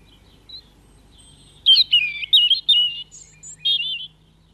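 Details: A European robin sings at RSPB Leighton Moss: a quick run of high, thin, liquid warbling phrases, rising and falling for about two and a half seconds, over a faint low hum.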